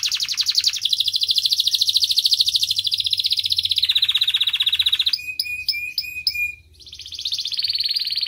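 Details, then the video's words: Canary song used to prompt young canaries to respond and sing: long dense rapid trills of high notes, then a lower rolled trill, a short run of distinct sharp chip notes with a steady whistle, and another long high trill. "Pancingan Kenari PAUD agar Cepat Respon Bunyi"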